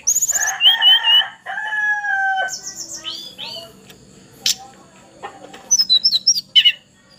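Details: A young Javan pied starling, still in speckled juvenile plumage but already singing strongly, gives a busy, varied phrase of nasal harmonic whistles and drawn-out notes, with harsh buzzy passages and a burst of high squeaky chirps at the end.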